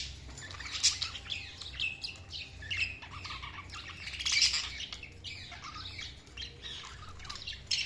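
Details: Quieter, scattered budgerigar chirps and short squawks, high-pitched and irregular, with occasional louder peaks over a low background rumble.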